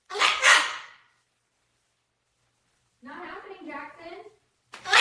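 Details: Cockatoo letting out two loud, raspy screeches, then a short burst of chattering, speech-like sounds, then another harsh screech after a silent pause.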